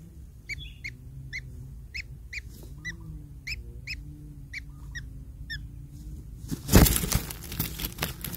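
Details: Long-tailed shrike chicks begging from a feeding parent with spaced, thin squeaky notes about twice a second, followed by a loud rustling clatter.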